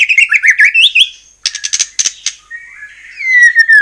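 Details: White-rumped shama singing as a lure for other shamas. Quick warbled notes are followed by buzzy high chips, then a long clear whistle sliding gently downward.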